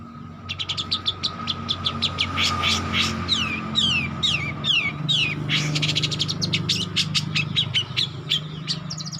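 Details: Young long-tailed shrike learning to sing: a rapid run of sharp high chirps and slurred downward whistles, roughly two or three notes per second, over a steady electrical hum and low rumble.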